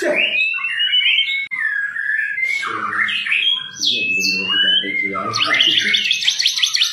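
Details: White-rumped shama singing a rich, varied song of whistled phrases that slide up and down, with sharp high notes and a buzzy fast passage near the end, plus some lower rough sounds in the middle.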